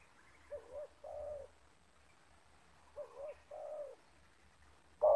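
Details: Wild and decoy spotted doves meeting in a yard, both of the loud 'banggo' voice. Two quiet, low coo phrases with a wavering middle note, then a sudden loud close coo at the end.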